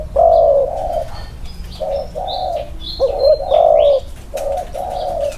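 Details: Inner-circle cooing from two spotted doves set next to each other for comparison. Soft, low hooting notes form broken phrases, with one wavering coo in the middle. Thin high chirps and whistles of other birds are heard behind them.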